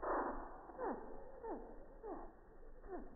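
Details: Hummingbird at a feeder on a quiet, busy morning, filmed by iPhone 6+ about three feet away and slowed to slow motion: a burst of low, stretched sound, then four descending swept chirps roughly every half second.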